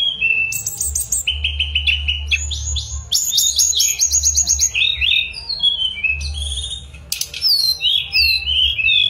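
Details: Mangrove blue flycatcher giving long, steady high whistles that break into rapid trills and then into falling slurred phrases, with a low droning hum beneath.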